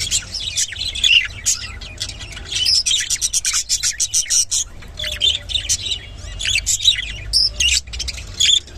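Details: Rainbow budgerigar chattering continuously: dense rapid warbled chirps, clicks and squeaky whistles in an unbroken stream with brief pauses, quiet low hum beneath.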